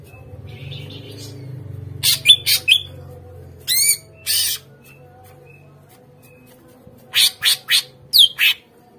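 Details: Greater green leafbird song used as a lure to make captive birds respond and sing: bursts of sharp squawky notes and downward-sweeping whistles between quiet gaps, with a low hum underneath.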